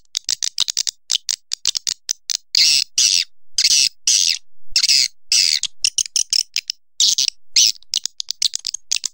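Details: High, dry swiftlet chatter: quick runs of clicking chirps mixed with longer, rasping, buzzy notes, repeated steadily with almost no pause and no other sounds.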